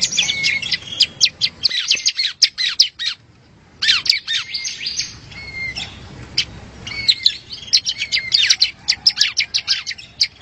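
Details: Bar-winged prinia singing for a songbird-competition training recording, delivering dense bursts of scratchy, high chattering notes broken by short thin whistles, with a brief lull in the middle before the rapid chatter resumes.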